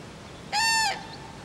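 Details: Crane calling at Friskalanlahti bay, a single resonant trumpet blast about half a second long, flat and harsh-toned, ending with a short downward slur. A faint distant chirp follows, and low hiss runs throughout.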